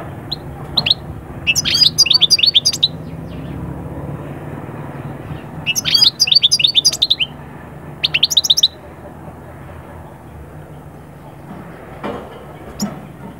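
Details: Song of a European goldfinch, intended to push birds out of moulting calm into breeding excitement: brief bursts of quick chattering twitters separated by quiet stretches, with a faint low background rumble.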